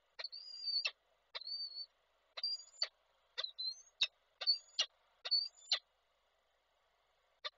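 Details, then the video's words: Male peregrine falcon with a prey gift calling to the female, Koszalin, Poland, 16 February 2024, online falcon camera; loud series of high whining notes, each ending in a harsh click, repeated roughly every second, then quiet. "samiec z prezentem, Nilę wołał"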